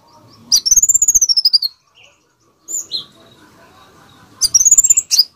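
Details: Konin bird singing densely, kept as a master recording for teaching other birds: two bright, high, arched whistles laced with fast rattling pulses, the first about a second long, with a short sharp note between them, over a quiet background.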